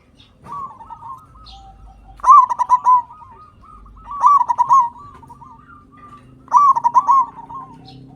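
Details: Local zebra dove singing loudly, used as a lure to make quiet captive birds sing and to raise breeding urge: a burst of rapid staccato cooing notes with a trilled middle, repeated about every two seconds, with soft murmuring notes between phrases.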